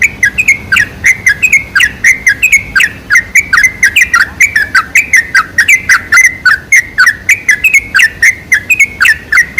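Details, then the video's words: Sooty-headed bulbul lure sound for attracting bulbuls: a long, steady chatter of quick, liquid, up-and-down slurred notes, densely repeated without pause. "PANCINGAN SUARA TRUCUK TERBAIK"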